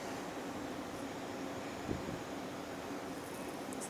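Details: Steady broadband hiss and low hum like distant traffic or a fan, with no animal sound.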